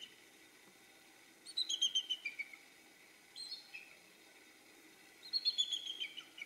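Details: Bald eagles vocalizing in the background on a sunny day: three separate bursts of thin, high chittering notes, each a quick run of whistled pips falling in pitch, faint over a steady hiss.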